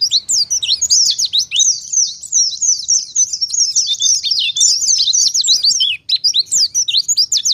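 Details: Oriental white-eye in vigorous forest-style song, used as a lure to make other white-eyes answer: a dense, fast stream of high, thin twittering and sharp slurred chirps, almost unbroken, with brief pauses near the end.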